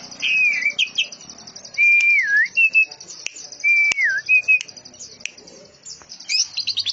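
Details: Canary-style song of a Greater green leafbird, with cililin and lovebird elements delivered densely: looping slurred whistles that rise and fall, short chirps and a high buzzy trill in the background.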